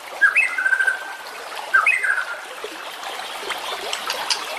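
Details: White-rumped shama song for training competition birds: two rich whistled phrases, each a short rising note that drops into a sustained, slightly warbling lower whistle, followed by hissing background noise.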